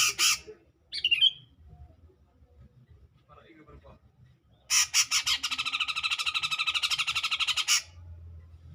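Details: Grey-cheeked bulbul's clear, energetic song aimed at provoking a rival, recorded 2021: a harsh note and a quick whistled flourish, then a three-second chain of grating, evenly spaced buzzy pulses that stops abruptly.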